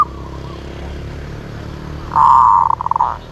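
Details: Zebra dove giving one rolling coo near the end: a steady, purring tone that breaks into a few quick pulsed beats, after a quiet stretch with low background hum.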